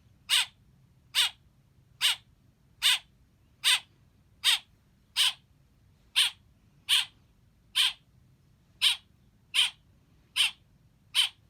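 A young blackbird gives harsh, rasping chirps, one a little under every second, steady and insistent, over a faint low hum.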